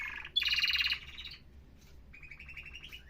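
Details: Canary song in a professional style: a loud, rapid buzzy trill of repeated notes, then a softer, thinner trill of evenly spaced chirps near the end, with a faint low hum underneath.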